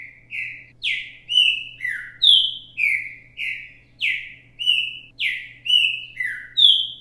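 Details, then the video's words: A green-winged saltator (Saltator similis, "repetidor mateiro" type), recorded live as a teaching song for young birds, repeats a phrase of loud, clear whistled notes, about two per second, some steady and some sliding down, over a faint low hum. "Trinca ferro repetidor mateiro cantando"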